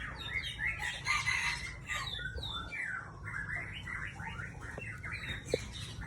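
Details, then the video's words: Aceh-type white-rumped shama pouring out a dense, varied stream of quick chirps and short whistled slurs, with steady low background hum. "Murai Aceh"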